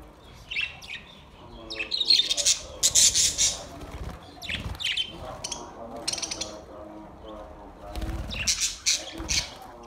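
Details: Budgerigar song from August 4, 2023: busy, harsh, chattering bursts of scratchy chirps and clicks. Some notes come in quick clusters, and there are brief pauses between groups. A faint steady tonal drone sits beneath.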